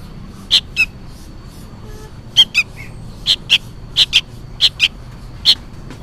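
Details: Begging juvenile sooty-headed bulbul, noisy as though calling for its parent, repeating short rasping chirps mostly in doubled pairs with brief silences between.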